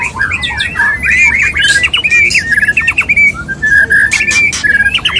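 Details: Male white-rumped shama in courtship of a female, pouring out a rapid, wavering chatter of harsh and whistled notes in one long run, then short whistled bursts and clicks.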